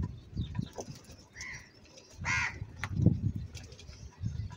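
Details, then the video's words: Angry crow giving one loud, hoarse caw midway. Low rumbling noise and soft thumps are heard, with a brief whistle from another bird before the caw. "Very loud voice of Crow sound - Angry kauwa ki awaz"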